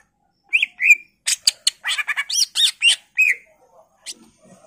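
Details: Greater green leafbird singing to set off other birds: two bright rising whistles, then a dense burst of harsh chatter and looping notes, ending with a curved whistle and soft fading chips.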